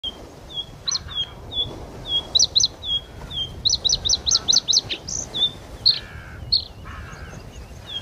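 Bluethroat giving sharp, high ticking notes and quick metallic chip bursts, with a couple of brief buzzy rasps, over a faint steady background hiss.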